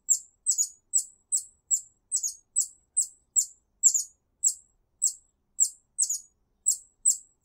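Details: Hummingbird in a garden, calling other hummingbirds to it: a steady run of very high, thin chips, single or doubled, repeated about twice per second with clean silence between.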